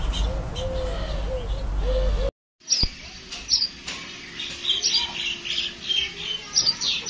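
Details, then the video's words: Sparrows give bright, high chirps in quick irregular bursts after a brief cut, preceded by lower repeated arching notes over steady rumbling background noise. "Sparrow Sound"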